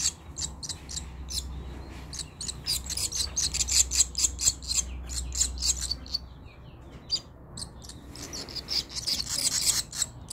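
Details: Young barn swallow chicks: dense bursts of high, scratchy chirps and twitters, rapidly repeated in clusters with short pauses, over a low steady hum.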